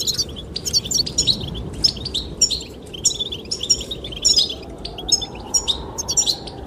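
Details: Goldfinches chirping in windy weather, singing to attract the female: lively high twitters and sharp trilled phrases repeated nearly every half second over loud, continuous wind noise.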